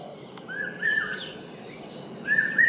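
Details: Common hawk-cuckoo, called the brain fever bird, Indian subcontinent: a few drawn-out whistled notes sliding upward, fairly soft, with a pause before a final rising note and faint background hiss.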